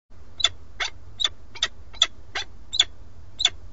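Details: Male peregrine falcon at a nest watched by a live webcam in Alcalá de Henares, Madrid, Spain, carrying a starling and calling the female, who does not come. Harsh, raspy notes repeat about every half second, eight in a row, over a steady low hum.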